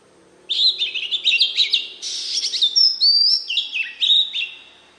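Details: Oriental magpie-robin song in its wild-type voice, for rousing newly caught birds: an unbroken four-second stream of quick, varied whistles, rich warbled notes and a few pure, ringing whistled tones.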